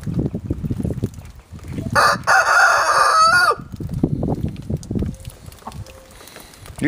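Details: A family's rooster gives one loud, harsh cock-a-doodle-doo lasting about a second and a half, set between stretches of low rumbling handling noise and faint background sounds.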